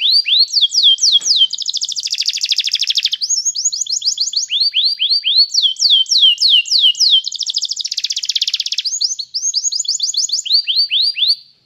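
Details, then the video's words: Canary singing continuously, as a model for a canary in training. Phrases alternate between rapid down-slurred whistled notes and dense buzzy rolls, changing tour every second or two without pause. "cantar canário faz seu canário cantar"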